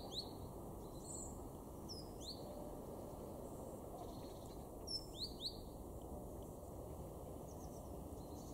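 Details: A great tit (Parus major) in a garden in Weener, East Frisia, northwest Germany, November 2022, gives sparse, thin, high chirps, singly and in clusters of two or three, over a steady low background rumble.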